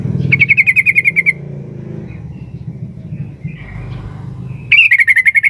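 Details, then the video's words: Sooty-headed bulbul, a female calling for a male: an opening run of about a dozen fast, gently falling chattering notes, a quiet stretch with low rumbling noise, then another quick burst at the end. "suara burung trucuk betina memanggil jantan"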